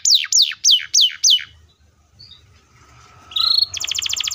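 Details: Canary song used to provoke young and silent canaries. Five loud falling whistles are followed by a quiet pause, then a short buzzy note and a fast pulsing trill.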